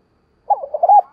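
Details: Decoy spotted dove pressing wild males to call back, in the đồng pha thổ voice: a run of short, low, mellow coo notes rising and dipping in quick succession, ending abruptly.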